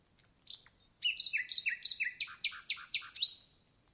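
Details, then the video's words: Common nightingale song phrase that opens with thin high whistles, then runs into quick sweeping notes and a series of loud, sharp, evenly spaced chacking notes before it stops abruptly. "Nightingale Song"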